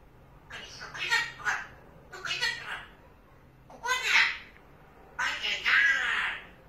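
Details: Pet parrot indoors, seeing a cat through the window, babbling in four speech-like bursts with raspy, chattering syllables.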